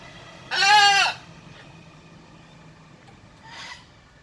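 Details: A playing pet blue-and-gold macaw gives one strong, grating squawk lasting about half a second, followed a few seconds later by a much fainter, distant-sounding call.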